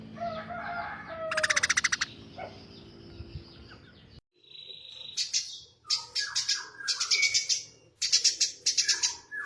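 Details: Eurasian tree sparrow, tame, uses rough chatter: a short fast rattle, then a quieter stretch, followed by jumbled buzzy bursts and sharp chirps in uneven groups.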